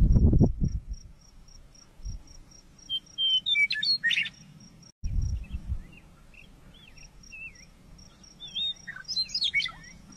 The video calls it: Western meadowlark